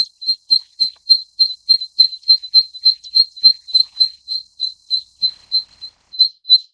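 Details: Zitting cisticola (Cisticola juncidis) giving a long series of sharp, high, clipped 'zit' notes, about three per second, steady in pitch, roughly twenty notes over seven seconds, with no other clear sounds.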